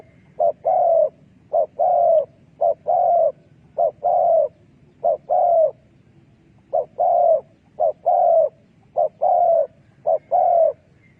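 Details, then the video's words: Spotted dove call played as a decoy for trapping doves: around ten paired phrases of a short coo and a longer falling coo. They are delivered in runs with a brief pause midway, and the background is quiet. "លលកធ្នាក់សម្លេងដេញព្រៃ Good Dove trap"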